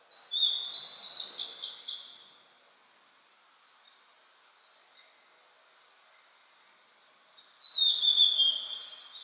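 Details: Mountain song of a Blue-and-white flycatcher, recorded in 2022 in spring after rain, on a cloudy day at 14°C. A loud phrase of sweet whistles opens, softer high notes follow, and a strong whistled phrase returns near the end.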